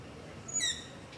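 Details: At night near a house, a long-eared owl makes a brief, moderately faint, high squeaky screech with a slight rise, recorded on a ZOOM H5 with a LOM Usi Pro over steady background hiss.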